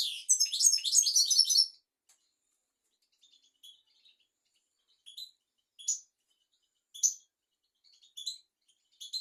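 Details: European goldfinch song used to teach young goldfinches and canaries. It opens with a rapid high twittering phrase under two seconds long, then gives sparse short chirps spaced about a second apart.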